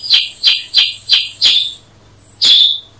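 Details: Black-headed bulbul (Brachypodius atriceps): five quick, sharp chip notes in a row, a short gap with a thin whistle, then one more chip.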